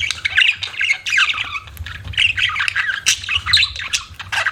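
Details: Budgerigars chirp and warble nonstop, scratchy squeaks and rolling chatter over a faint low hum.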